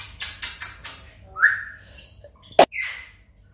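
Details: A one-and-a-half-year-old pet African grey parrot in its morning talk with its owner, giving a quick series of sharp high whistles and chirps, then a rising whistled note, a loud click and a falling squeal.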